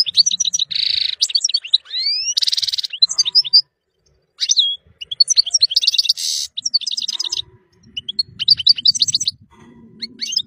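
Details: European goldfinch song meant for teaching young birds: bursts of bright, rapid twittering and tinkling notes high in pitch, with short buzzy trills and rising whistled slurs, broken by brief pauses.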